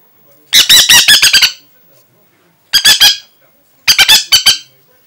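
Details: Angry Aratinga parrot giving harsh, raspy squawks in three rapid bursts of four to seven notes each, with pauses of over a second between bursts.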